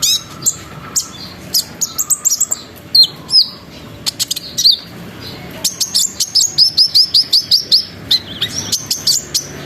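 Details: Lure song of a sunbird meant to prompt other sunbirds to join in: fast, high chattering chirps and repeated sweeping whistled notes, a lively run of about a dozen quick upslurred notes near the end.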